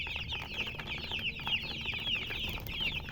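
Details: Many chicks cheeping together, a steady chorus of thin, high, rapid peeps that overlap constantly, some slightly louder downward-slurred notes standing out above the mass.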